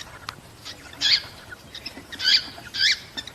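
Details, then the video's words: Cockatiels calling to encourage breeding: three bright, scratchy chirps spaced about a second apart after a quiet start, over a faint background hiss. "تحفيز طيور الكوكتيل على التزاوج بعد سماع هذا المقطع"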